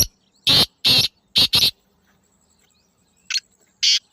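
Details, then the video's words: Black francolin producing four loud, coarse rasping notes in a stuttering rhythm, then two more separated notes after a short pause, with a quiet background. "کالے تیتر کی آواز | Black Francolin Beautiful Call"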